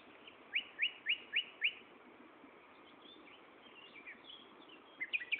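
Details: Singing common nightingale, Gaasperzoom, 16 May 2012, half past three in the afternoon: five loud, identical downslurred notes repeated about every quarter second, a quieter warbled stretch, then a fresh burst of sharp notes at the end.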